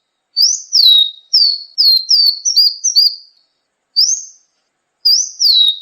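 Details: Kolibri ninja song used for training cage birds, a loose series of clear, high whistled notes that rise slightly and then fall, grouped in short phrases separated by pauses.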